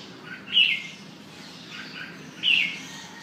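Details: Red-whiskered bulbul kept for sale. Two brief, sharp, whistled chirp phrases about two seconds apart, each a quick bright burst, with softer chirps between them and a low steady hiss behind.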